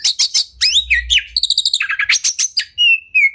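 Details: Caged Oriental magpie-robin delivering champion-style song: quick stuttered chips, a rapid buzzy trill, a run of sharp repeated notes, and a closing long level whistle.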